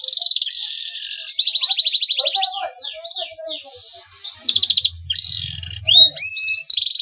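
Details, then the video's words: Breeding male canary, calling to get rival canaries singing: a buzzy trill, a long rapid rattle, zigzagging whistles, and another short trill, with clear upswept notes near the end. "CUIT CUIT KENARI JANTAN BIRAHI UNTUK MERANGSANG BUNYI KENARI LAWAN AGAR MAU BUNYI DAN GACOR"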